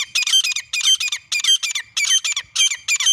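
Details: Grey francolin pair calling, cleaned partridge hunting sound: fast clusters of harsh, shrill squawking notes, repeated in uneven bursts about every half second.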